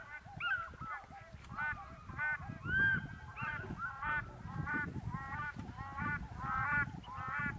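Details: At Rigueik in Zakouma National Park, Chad, many black crowned cranes give honking, nasal calls with bent, wavering notes, about one to two a second, overlapping in a busy chorus over low rumbling background noise.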